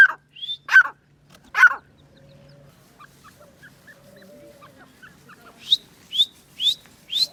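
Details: Grey francolin calling: three harsh, broad, ringing notes open the sequence, then a quiet gap with faint low hum, then four sharp upward-slurred whistled notes in quick succession.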